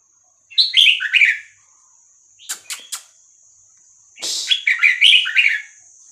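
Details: Vietnamese-type red-whiskered bulbul song, style called 3-4-5-6-7, played to teach young birds and excite them: a short clicky burst, then two rich warbled phrases of falling, tumbling whistles, over a steady high electronic whine.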